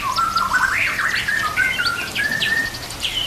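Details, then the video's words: White-rumped shama singing over nature sounds and trickling water, a recording for training shamas to sing: warbled, wavering whistles, a long level note, and short high upward flicks. "Murai Batu Full Gacor Murai macet langsung Gacor Masteran Murai"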